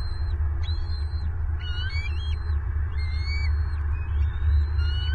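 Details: Adult bald eagle at an active nest in Southwest Florida, 25 February 2023, suddenly angry at both eaglets while feeding them. High, slurred whistles rise and fall, some rising steeply, in choppy runs over heavy low wind noise.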